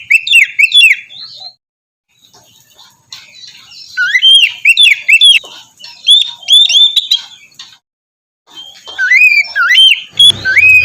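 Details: Morning white-rumped shama song meant to stimulate a lazy bird to sing: repeated bursts of loud, fluting whistled phrases with swooping rising and falling notes, broken by short pauses and some softer chattering.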